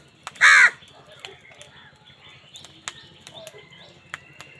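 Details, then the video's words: A single loud, hoarse caw from a crow squabbling over food, brief and harsh, then only faint clicks, taps and a low steady hum for the remaining few seconds. "কাকের ডাক Crow Sound Crow ki Awaz Loudly part | Crow bird Fight for Food"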